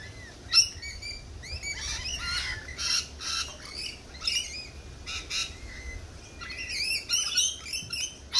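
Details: Noisy lorikeet squawking, harsh broadband screeches mixed with short upslurred chirps, coming in dense bursts throughout, several birds apparently calling at once.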